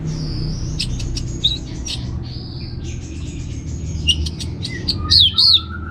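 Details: Orange-headed thrush singing ngeplong. Thin sustained high whistles and scattered chips give way to a loud, warbled, rising-and-falling phrase near the end, over steady low noise.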